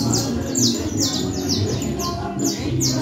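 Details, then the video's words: Creole canary, canario criollo, caged in Manhattan, delivering cruzeta song: bright, high notes sliding downward, repeated in quick groups of two or three, with a low background drone. "Canario Criollo Él Tremendo en Cruzeta Bien Candela"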